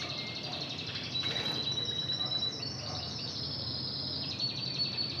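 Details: Intense red canary trained in Spanish Timbrado song, fainter: a high thin whistle and a soft continuous roll over steady background hiss.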